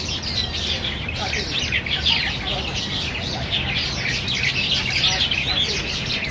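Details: A feeding flock of black bulbuls at Niaosong Wetland Park, squabbling over banyan figs, keeps up dense, overlapping chatter of high, squeaky and nasal calls with no pause, over a low background rumble.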